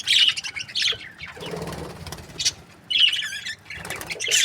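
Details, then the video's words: Breeding pairs of budgerigars give short bursts of high chirps and squawks separated by pauses, with a soft fluttering of wings in the middle. "Amazing budgie chirping sound | breeding pairs"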